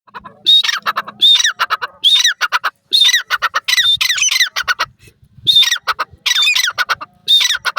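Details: A partridge, described as a francolin (Buday or Irani teetar), gives harsh, grating squawks in quick bursts, roughly one every second, some with a ringing high note; a faint low hum briefly underneath.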